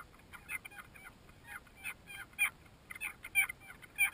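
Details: Banded stilts duelling in a nesting colony of over 20,000 pairs on flooded Lake Torrens, South Australia, in 2011, trading sharp, nasal, yapping calls in quick, overlapping bursts about every half second, several birds calling at once.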